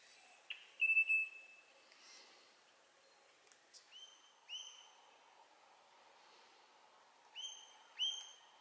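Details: Glossy black cockatoo family with a fledgling, feeding in casuarina trees near Bournda Nature Reserve on 19 November 2022 at 5.30pm; a long, steady, high whistle-like call is followed by shorter paired tonal calls with bright overtones, then quiet.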